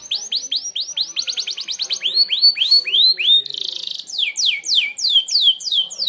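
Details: Sharp-shot song of a Merlok canary, used to teach other birds: a fast series of arched, whistled notes, each rising then falling, broken by a brief harsh buzz before more sweeping notes.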